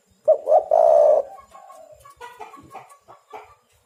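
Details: A single spotted dove phrase, played as a lure for catching doves: two short hoots then a long rough coo, followed by quieter distant coos and faint chirping.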